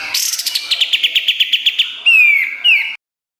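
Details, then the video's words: Kapas tembak song for training songbirds: a rapid series of sharp, evenly spaced chirps, then two loud, slurred whistles that fall in pitch. "Masteran Kapas Tembak Gacor Nembak Isian Tajam Full"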